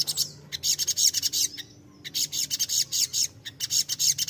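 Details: High crimson sunbird (sogon) song played to provoke untrained birds into answering: quick bursts of thin, shrill chattering notes, broken by a brief pause midway, then resuming just as rapidly.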